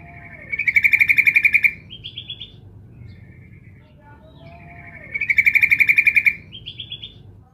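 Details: Sooty-headed bulbul female calling to a male: two fast, evenly pulsed trills, each about a second long and ending in a short upward-stepping flourish, spaced roughly four seconds apart over a faint background hum.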